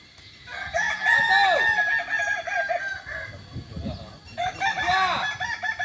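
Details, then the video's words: Kokok Balenggek rooster at a joint training session in Ampang Kualo, Solok city, West Sumatra, giving a long multi-syllable crow, a string of rising and falling notes after an opening phrase, with a second crow near the end and faint voices. "latihan bersama Ayam kukuak balenggek"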